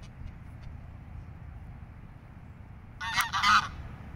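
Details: A greylag goose with goslings in Regent's Park, London, June 2024, gives two or three loud, harsh honks in quick succession near the end, over a steady low rumble of background noise.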